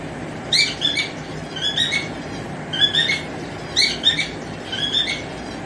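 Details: Singing male cockatiel calling to a female, giving short whistled phrases of quick rising and falling notes, repeated roughly once a second in a regular pattern against constant hiss.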